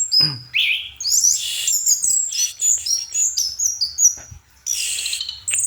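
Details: Singing at night, an orange-headed thrush delivers a rising whistle followed by a jumble of high twittering, chattering and slurred whistles, pausing briefly before a final burst.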